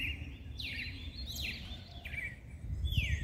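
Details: Mateiro-style seedeater song meant to excite males, with bright downward-sweeping whistled notes following one another quickly, some rising at the start, over constant low rumbling noise.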